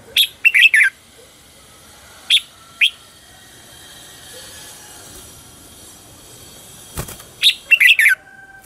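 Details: A red-whiskered bulbul lure bird sings to attract wild birds in the "ché chéc" contest style: quick chirpy bursts at the start and end, with two lone notes between, over a thin high hiss.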